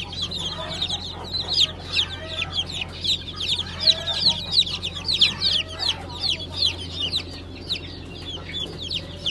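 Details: Newly hatched Brahma chicks, a 20 April 2020 hatch of light, gold and blue varieties, peep together in a dense, overlapping chorus of high, short, falling cheeps, several per second, over a steady low hum.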